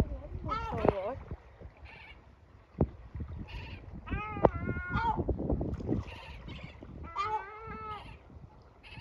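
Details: Yellow-legged gull father, angered, keeps screeching at running chicks to send them into shelter; a series of strident, harmonic, slightly quavering cries in bursts, with faint chick peeps and scraping sounds.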